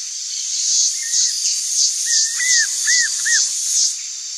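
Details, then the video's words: A wild Chaco puffbird, a rare bird, calls in the open: a series of arched, rising-then-falling whistled notes in quick succession, under a loud, pulsing, high insect buzz throbbing about twice a second. "RAPAZINHO-DO-CHACO livre (NYSTALUS STRIATIPECTUS), CHACO PUFFBIRD"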